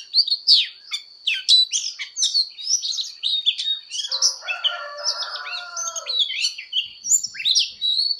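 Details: Oriental magpie-robin's fighting song in voice training: quick whistles and chirps, with a lower, drawn-out layered sound appearing briefly mid-clip behind the singing.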